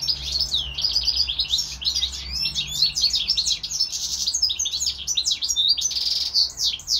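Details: Caged European goldfinch kept together with a hybrid finch, singing a fast, continuous twittering song of high buzzy trills, chirps and sweeping notes with hardly a pause, and a brief harsh nasal note near the end.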